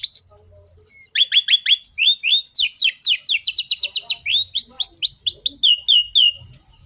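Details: In Indonesia, an Asian pied starling gives a rain-calling song: a long high whistle, then a fast series of sharp repeated chirps, about four per second, in varied clusters.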